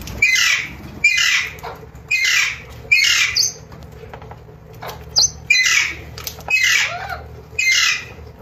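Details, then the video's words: Alexandrine parakeet, a newly acquired pet, giving loud, harsh squawks indoors, about seven in a row at roughly one per second, over a steady low hum. "Alexandrine Parakeet"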